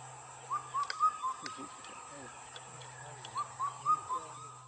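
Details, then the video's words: Kafal bird, the Indian cuckoo, calling in Uttarakhand's Almora and Ranikhet area: two clear four-note whistled phrases about three seconds apart, rising then falling, over a constant low hum and faint rustling. "Kafal Bird Singing # काफल पाको मैं नि चाख्यो"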